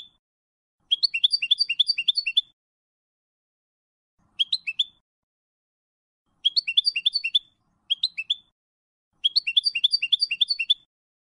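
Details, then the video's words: Malaga-style European goldfinch song for memorisation by young birds: fast trilled bursts of bright descending notes, each lasting one to two seconds, broken by short silences. "Copia malaga élégante para memorización niños de pájaros ( Jilguero y Mixto) CD Goldfinch 1h singing"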